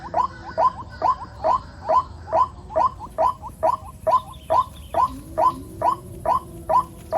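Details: Rainy season, many waterhen chicks: a white-breasted waterhen repeats about seventeen brief rising notes at a brisk even pace, while a thin high whine enters midway and softer notes sound in the background.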